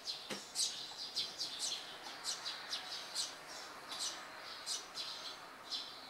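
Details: Hungry Eurasian tree sparrow fledglings, one pushing and pecking a sibling while waiting for a parent to feed them on a board fence in Japan, early July 2015; bright high chirps in quick irregular series.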